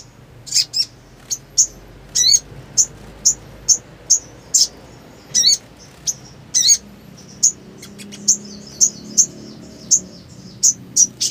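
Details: Black sunbird song in continuous ngleper style, sung in breeding condition: thin, very high chips repeated roughly twice a second, some doubled, steady and sharp against quiet background.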